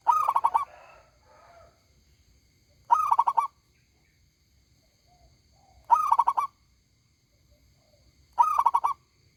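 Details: A loud local zebra dove sings steadily, repeating its rolling five-note cooed phrase four times at intervals of about three seconds, with faint softer murmurs between phrases.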